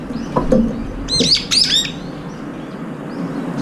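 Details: Brown-eared bulbuls squabbling while feeding together, pecking rivals away. Two sharp, shrill, bent screeches close together, after soft scattered sounds, then quiet.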